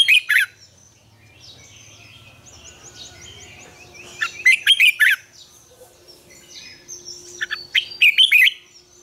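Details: Red-whiskered bulbul morning song, a double-note, mature wild-style song meant as a lure for training bulbuls. Short bubbly phrases of fast, liquid notes come in three spaced bursts, with faint twittering from other birds in between.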